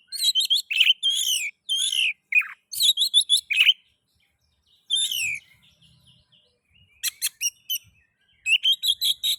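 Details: Oriental magpie-robin singing, offered as a lure to stimulate other magpie-robins: dense bursts of rapid, bright chirps and slurred whistles in repeated groups, with brief quiet pauses between phrases.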